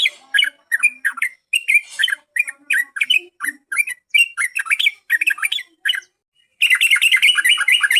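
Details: Yellow-vented bulbul song played to lure birds: jerky, chattering chirps with uneven gaps, a brief silence near the end, then a dense rolling burst.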